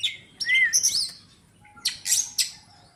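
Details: Oriental magpie-robin, a kacer described as healthy and ready to be taken to a songbird competition, giving short bursts: a clear rising-falling whistle, then sharp high chirps and harsh buzzy notes, with quiet background.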